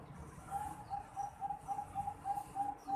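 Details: A 4.5-month-old juvenile Bangkok zebra dove calls about nine brief, soft coo notes at a steady pitch, spaced roughly three per second, over a hissy background.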